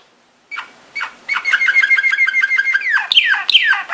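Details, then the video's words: Belgian Waterslager song canary singing a training song: scattered chips build into a quick bubbling chain of short notes, ending in louder sliding, warbled phrases. "Belgian Waterslager / Belgian Malinois Waterslager training song vol. 2"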